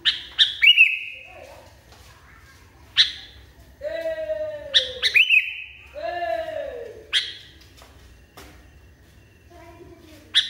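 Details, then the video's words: Agitated sooty-headed bulbul giving loud, abrupt chirps and ringing drawn-out whistles in irregular bursts, broken by lower, harsher descending notes; faint background hum throughout. "KUTILANG NGAMUK PARAH"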